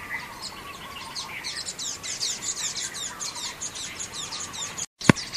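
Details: Common waxbills at Xinyuan Township on 3 June 2024, a flock giving rapid, high-pitched, slightly buzzy chirps that run together, with a brief dropout and a sharp click near the end.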